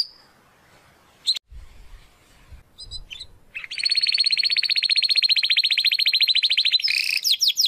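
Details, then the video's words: Belgian canary song used to train young and adult canaries: after a few sharp notes and clicks, a long rapid rolling trill on one pitch, ending in quick sweeping notes. "CANTO DO CANÁRIO BELGA TREINAMENTO"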